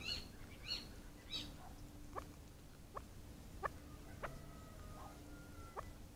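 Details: Chukar partridge calling: a series of short, sharp upward-swept notes repeated about every half second, some higher squeaky notes at the start, with a steady low hum and faint background noise.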